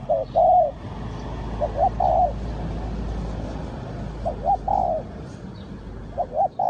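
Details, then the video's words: Spotted dove at Ninh Thuận, recorded during bird trapping with a lure bird, giving low hoarse coos in short-long pairs, spaced a few seconds apart over a steady low rumble of background noise. "Cu gáy Ninh Thuận,นกเขาใหญ่สายต่อดิน,Tekukur pikat,The Sound Of dove"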